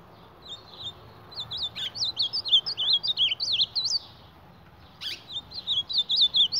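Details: Ultramarine grosbeak fighting its reflection: bursts of rapid, zigzagging high whistles broken by a pause and sharp tapping clicks, then resuming.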